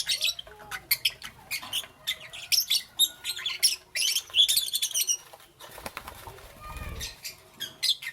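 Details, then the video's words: Morning chirping from lovebirds: dense clusters of shrill, scratchy high notes, pausing briefly midway before resuming, with soft fluttering and low thumps beneath. "Lovebirds Chirping Sounds"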